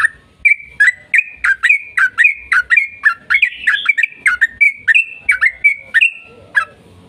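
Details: Yellow-vented bulbul in long-rolling 'ropel panjang' song, used as a lure to make other bulbuls sing: a rapid run of loud, short, slurred whistled notes around the mid range, about three per second, with faint background chirps.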